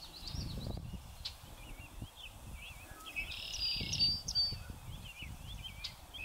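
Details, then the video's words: A North American Song Sparrow sings on a windy day on a northern USA prairie: a run of quick, slurred high notes with a brief dry buzz in the middle, half-buried under gusting wind. "A North American Song Sparrow sings its song"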